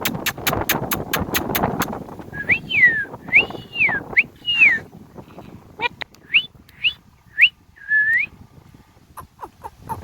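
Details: Rose-ringed parakeet having fun on a tree: a burst of rapid sharp ticks, then a run of clear arched whistles, each rising then falling, about one a second, ending with short sharp clicks.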